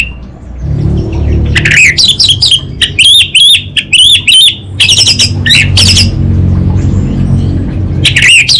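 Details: Orange-headed thrush of the brick-coloured Anis Bata form singing vigorously: sharp, wavering whistled notes in quick bursts, some rising and falling, with short pauses, over a steady low hum.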